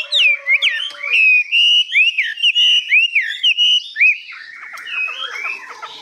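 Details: Newly arrived captive Chinese hwamei singing high with long phrases: a loud, varied run of clear whistled phrases, rising and falling slurs repeated rapidly, then softer warbling notes near the end.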